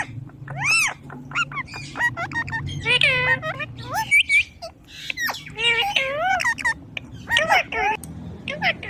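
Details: ['Indian ringneck parrot imitating human speech with looping, harmonic syllables and sharp clicks in irregular bursts, over a low background hum.']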